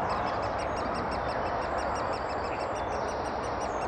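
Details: Adults of great spotted woodpecker tending chicks in Thurrock woods on 20 May 2014, FinePix HS50EXR recording: brisk, evenly spaced high notes about four each second, with a thin steady whistle tone and background hiss.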